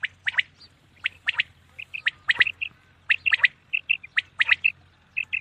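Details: Common quail calling at night: dense series of sharp, high, three-note phrases, each note clipped and emphatic, delivered in quick succession with short pauses between groups; low background hum.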